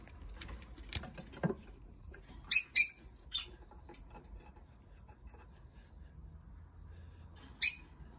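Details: Two rosy-faced lovebirds billing in courtship give short, sharp, high squeaky chirps: three close together, then one more after a pause, over faint clicks and a steady thin whine.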